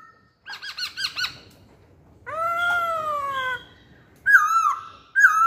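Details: Masked laughingthrush (poksay hongkong) used as lure song: a run of five rapid looping chirps, then a long loud falling whistle with rich overtones, and later two sharp swooping whistled notes.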